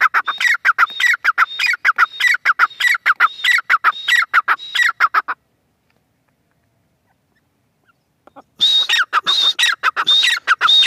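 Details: Female francolin giving a loud, rhythmic series of harsh squawks topped by high whistles, stopping for about three seconds of silence, then resuming the same rapid calling.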